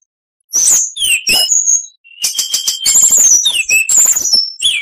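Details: After a short silence, oriental magpie-robin song begins with high whistles and a slur, then a clear sustained whistle gives way to a long stretch of trills and sweeping whistled notes.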